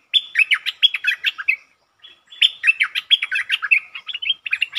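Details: Long doubled song of a streak-eared bulbul, recorded 13 February 2023: two extended runs of fast, bubbling, up-and-down whistled notes, the second longer, separated by a brief break.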